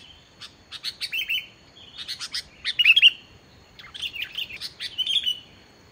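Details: Sooty-headed bulbul in vigorous pure song, used to lure lazy bulbuls into calling. Repeated short phrases of quick chips run into sliding whistles, spaced about a second apart.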